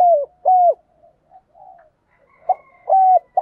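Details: Decoy spotted dove cooing in the thúc gù and gáy gọi manner: short low coo notes that dip at the end, repeated in pairs with pauses, plus faint softer murmurs and a thin high tone in the background.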